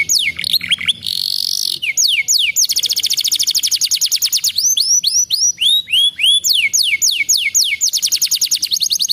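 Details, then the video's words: Canary song, played to prompt a canary that has stopped singing. Fast, high-pitched trills of rapid repeated downward-sweeping notes are broken by buzzy and rolling phrases, with a continuous, energetic delivery throughout. "Terapi KENARI macet bunyi - pancing dengan vidio ini agara cepat GACOR"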